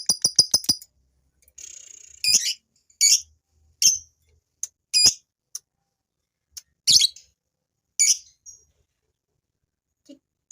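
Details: Male fighter lovebird starting with a brief rapid trill, then giving loud, sharp, high chirps spaced roughly a second apart before falling quiet, a lure to make females chatter.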